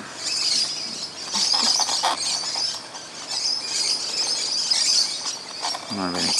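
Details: A noisy flock of musk lorikeets feeds in a tree on Christmas morning. Sustained shrill screeching rises and falls, and a man's voice is heard at the end.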